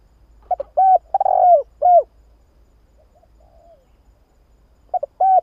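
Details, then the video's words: Lure recording of a spotted dove used to bring doves in: clipped low cooing notes build into longer rounded coos, then a pause with a faint distant bird note before the phrase starts again. "Tiếng chim cu gáy"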